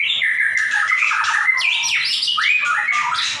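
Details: White-rumped shama singing in the energetic 'gacor nembak' style, offered as a tutor recording for other shamas: a dense, unbroken run of rich whistles, sharp upslurred and downslurred notes and harsh buzzy bursts, mostly high-pitched.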